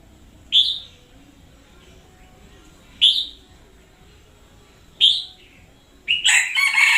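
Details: Red-whiskered bulbul used as a lure bird, calling loudly and energetically, recorded in 2021: three short bright whistled phrases about two seconds apart, then a burst of harsher rustling noise at the end.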